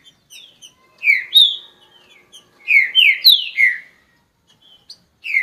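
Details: Caged green-winged saltator singing a strong phrase of four or five rich whistled notes, each sliding downward, after a few soft introductory chirps; faint hum underneath.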